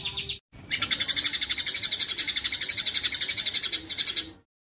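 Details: White-rumped shama top combination song: a brief trill, short silence, then a long harsh rapid rattle of repeated notes ending abruptly.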